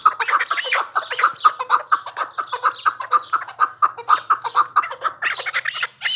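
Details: Chukar partridge, newly acquired, delivering a regular string of clucking chuck notes about twice per second, each short and mid-pitched, sustained for six seconds with a slightly harsher flourish at the close.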